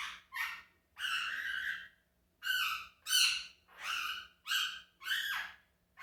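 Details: Quaker parrot giving loud, grating screeches indoors, some drawn out for about a second, others short and sliding downward, about eight calls in six seconds, with a low steady hum in the background.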